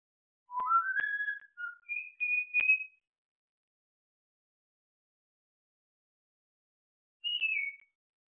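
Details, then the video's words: Pet African grey parrot practising "Bella ciao" in whistles: a quick rising sequence of pure tones ending on a held high note, silence for several seconds, then one brief falling high whistle. "the African grey parrot - “Bella ciao” whistling rehearsal"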